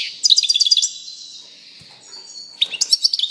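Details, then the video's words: Short bursts of a European goldfinch's song, a rapid twittering trill, a long thin sustained note, then another quick tinkling run at the end. "singing canary chardonneret song saka kuşu sesi"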